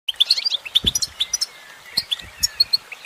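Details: Female goldfinch singing: scattered bright chirps and short twittered notes, with clusters of high tweets and a brief rapid run near the middle, over a soft hiss.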